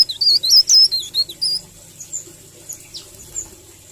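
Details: Leaf warbler delivering a 'ngerol' song as masteran material: about eight loud, high, zigzagging whistled notes in quick succession, followed by a few faint, sharp high chips.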